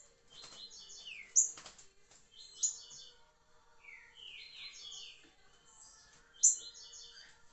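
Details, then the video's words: Trinca-ferro, or green-winged saltator, giving liso curricutil song: clusters of rapid high chattering notes and falling slurred whistles, punctuated by three loud clicks, with a faint steady low hum beneath. "trinca-ferro liso curricutil"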